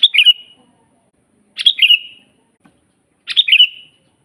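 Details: Sooty-headed bulbul singing energetically, a master recording for training other bulbuls to sing: three short bubbly whistled phrases, each a quick burst falling into a trailing note, spaced about every one and a half seconds against silence.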